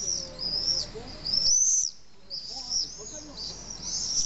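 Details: Common swifts at a nesting colony of about twenty pairs in the drainage holes of a huge retaining wall on a hill in Nice, France, nesting below 4 metres: shrill, high, arching screams in bursts, a short silent gap midway, faint lower whistles beneath.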